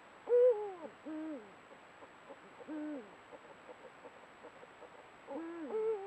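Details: A breeding pair of Eurasian eagle-owls on a camera trap, meeting before nesting as courtship builds, trade guttural contact hoots: four short, rich, arched, low nasal bursts with a downward bend over six seconds, against a faint hiss.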